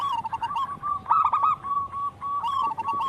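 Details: Local wild zebra dove in full song, a recording meant to prompt other doves to sing: fast rolling coos broken by short pauses, some notes sharper and stuttered, continuous through the clip with a faint background hum.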